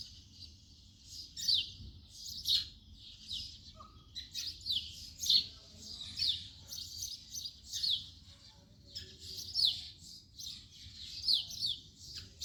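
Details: Rhythmic house sparrow chirping, emphatic downslurred notes repeating about once a second over continuous softer chatter.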